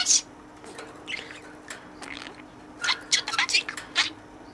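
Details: Pet budgerigar playing in its cage and speaking learned words to a toy friend: one sharp squeak, then soft mumbled chatter, ending in a quick burst of tinny, word-like syllables.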